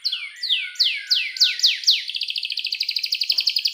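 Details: Canary singing to draw a young bird into song: loud downward-sweeping whistles repeated roughly three times per second, then a long rapid trill of bright high notes.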